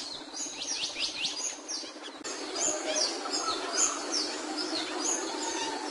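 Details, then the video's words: A capuchino seedeater sings a short series of sharp, high, descending notes, then a looser stretch of scattered chirps and twitters over noisy background. "PAJARO CAPUCHINO CANTANDO"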